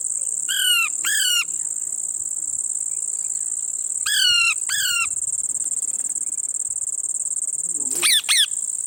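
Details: Parrot eating lemon calls in spaced pairs of gritty, downward-sweeping squawks, with long gaps between. A continuous shrill insect sound fills the background.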